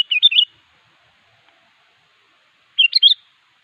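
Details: Two short, bubbly whistled phrases from a sooty-headed bulbul calling a rival, separated by nearly three seconds of silence.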